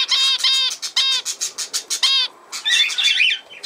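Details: Budgerigar repeating short, harsh, nasal calls about every quarter second, then after a brief pause switching to a rapid twittering warble.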